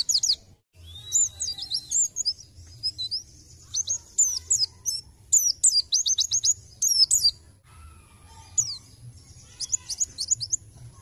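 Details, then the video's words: Bait song of a lively white-eye (pleci), used to lure other birds: dense volleys of high, sharp chirps and fast twittering trills coming in short clusters, then a quieter stretch before more chirps, over a faint low hum. "Pancingan Pleci Gacor Nembak"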